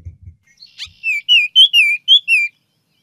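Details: A female Baltimore Oriole gives a short song, simpler than the male's, of six clear, slurred descending whistles, each bending up then down, over about a second and a half; a few soft thumps come just before.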